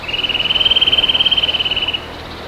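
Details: Eurasian nuthatch calling in early spring in Söderåsen National Park, Sweden, on a March morning: a rapid, even trill of high whistled notes on one pitch, lasting about two seconds, with a quiet background.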